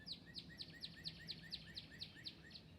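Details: Northern cardinal up in a tree above a feeder in Northern Virginia woods one morning, calling back and forth: a quick run of about ten clear, sharply down-slurred whistles, roughly four a second, over a faint low rumble.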